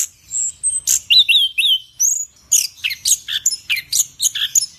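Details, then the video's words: Orange-headed thrush singing in captivity: thin high whistles and a short series of fluty slurred notes, then loud rapid chirps and buzzy squeaky phrases in quick bursts, clean background. "10 Burung Anis Kembang Yang Super Gacor"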